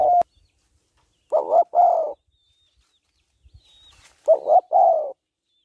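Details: Female spotted dove calling to excite males, giving two soft coo phrases, each a quick rising note followed by a drawn-out, gently falling coo, with quiet gaps in between.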